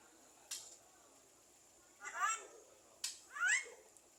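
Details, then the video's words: Talking Javan myna, reportedly copying human words and coughs, gives two separate rising, buzzy harmonic calls with sharp clicks before each, in a quiet setting. "Jalak kebo gacor bisa ngomong / Cewek Emak Ngopi Batuk Bapak"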